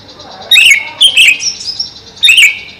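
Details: Greater green leafbird (cucak ijo) kept caged above a pond: three strong, clear phrases of sliding whistled notes, each about a third of a second long, separated by short pauses.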